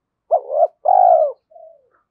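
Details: Spotted dove decoy, excited into fast cooing in the giọng thổ voice: a quick note, a rising slur, a long even croo and a soft falling tail note.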